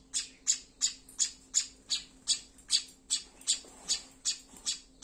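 Tailorbird giving harsh, high, scratchy begging squawks, repeated steadily about three times a second, over a faint low hum.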